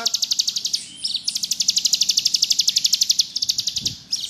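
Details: Ngebrem song of a bar-winged prinia, locally ciblek gunung: brief opening notes, then a steady, machine-like trill of crisp high buzzy pulses, about four to six a second, ending in a short scratchy flourish.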